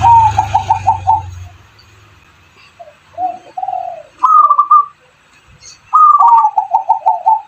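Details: Hybrid of zebra dove and spotted dove singing as a lure for other doves; rapid stuttering coo series, softer low notes, then two loud rising phrases trailing into quick repeated coos, with low rumble early.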